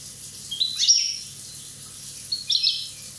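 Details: One-year-old Corsican European goldfinch singing: two brief bursts of bright, high twittering notes with quick tinkling slides, separated by a pause of over a second, against faint low hum.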